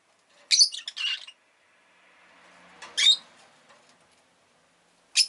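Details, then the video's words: Pet rosy-faced lovebird giving harsh, buzzy high chirps in a short cluster, a single squawk after a pause, then another at the end, with faint background noise between. "Lovebird Chirping Sounds"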